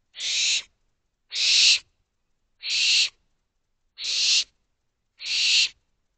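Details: Nest-box barn owl owlets begging for food after midnight, May 2023: five steady, evenly timed hissing screeches, each about half a second long, with silence between.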